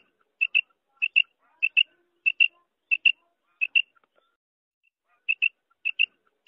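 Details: A female common quail gives soft, high paired "quip-quip" notes about every two-thirds of a second, with a brief pause midway and no other sound; the call is used to lure quail for morning hunting.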